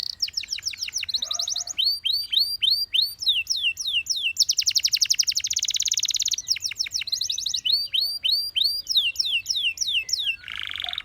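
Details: Gloster canary singing to prompt other canaries to sing; rolling series of curved whistles repeat in runs around a dense buzzy trill mid-way, ending with a lower harsh note.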